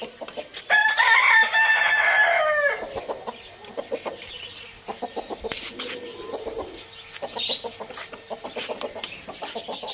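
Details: Several roosters feed on tomato at a farm in a village. A strong crow rises and then holds for about two seconds before breaking off. Busy clucking, pecking and scattered short calls continue afterward.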